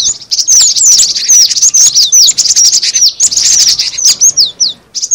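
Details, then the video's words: Cinereous tit chatter used as a lure: sharp, high, descending chirps crowded together in quick succession, ending with a few clearer single slurred notes. "suara pikat burung gelatik batu"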